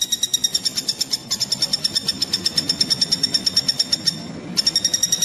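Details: Common flameback woodpecker, used as tutor material for songbirds: rapid high notes repeated about three a second, broken by two brief pauses, with faint low background rumble.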